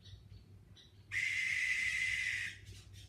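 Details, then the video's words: Great horned owl, one of several living in a rural backyard woodland, screeching at night: one harsh, hissing, broadband screech lasting about a second and a half, preceded by faint high chirps and a steady low hum. "Great Horned Owls screeching"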